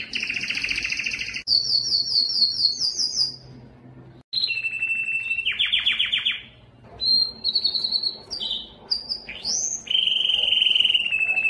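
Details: A Belgian canary (Serinus canaria domestica) sings fast rolling trills and bright whistled tours, shifting pitch every second or two, with brief pauses between phrases.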